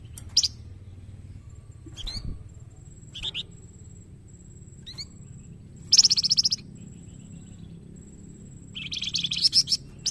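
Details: Young Scarlet Minivet singing a master song for training birds: short bursts of dense, very high trilled chirping, separated by gaps of several seconds, with scattered single notes between.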